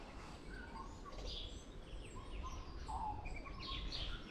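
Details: Auckland, New Zealand tui producing a medley of sliding whistles, short tonal notes and scratchy rising sweeps, set against a constant low background rumble.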